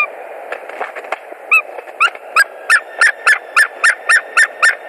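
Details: Wild white-tailed eagles nesting in Latvia, 1 March 2020, carrying sticks and straw and attempting to mate; some rustling first, then loud, rapid, harsh yelping calls repeated about three times per second, accelerating into a chattering series.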